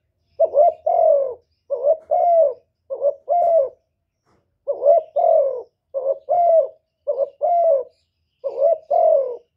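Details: Spotted dove in calling, urging and cooing mode delivers a string of double coos, a clipped first note followed by a fuller downslurred one, with one brief pause midway and no other sounds.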